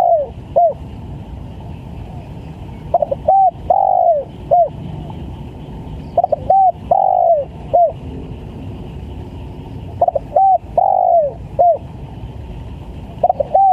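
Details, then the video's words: Highly vocal spotted dove recorded as a trapping lure, repeating a rhythmic coo phrase of quick short notes and a longer falling note about every three seconds against constant broadband hiss. "PANCINGAN TEKUKUR||SUPER GACOR"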